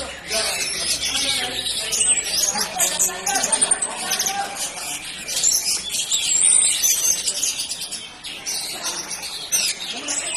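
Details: Orange-headed thrush in 'jurus mabok' song style, pouring out a continuous, busy jumble of high chirps, trills and thin whistles with no break, the loudness swelling and easing.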